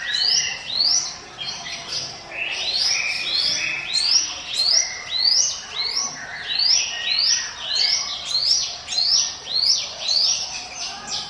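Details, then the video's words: Lure song of the Hill Prinia in 'ngiwit wit' style, a rhythmic series of bright, rising, chirpy sweeps repeated about twice per second, sustained and energetic throughout. "NGIWIT WIT SUARA CIBLEK GUNUNG SIAP JADIKAN PANCINGAN MU"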